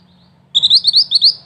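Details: Song of a mantenan, a wild songbird suited to tutoring ngerol tembak singers: a quick phrase of piercing, high, rising chirps, each note sharply clipped, over a low steady hum.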